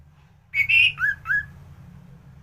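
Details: Orange-headed thrush in full 'gacoran' song, used as a master recording to train other thrushes: a brief burst of three clear whistled notes, the first high and sustained, then two lower slurred whistles, over a faint low hum.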